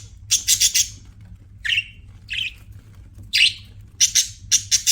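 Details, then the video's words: Chirping pet budgies: fast pulsed buzzy trills alternate with single downward-swept squawky chirps, a lively back-and-forth of sharp notes in a quiet room. "BUDGIES CHIRPING SOUND"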